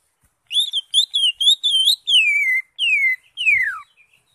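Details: Greater green leafbird singing with crest raised, a full varied song meant for tutoring other birds: a run of loud, high whistled notes that wobble up and down, then three clear whistles sliding downward, the last one steep and sharp.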